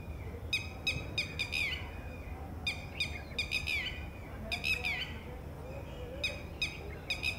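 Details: A female red-wattled lapwing, at a distance from her ground nest where a chick has just hatched, gives sharp, strident alarm notes in bursts of three or four every second or two, warning of possible predators, over low rural rumble.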